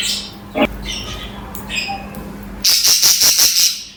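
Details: Budgerigars (parakeets) chattering: a few thin high chirps and brief whistles, then a loud, harsh, rattling burst of rapid pulses, about five per second, with a faint constant low hum underneath.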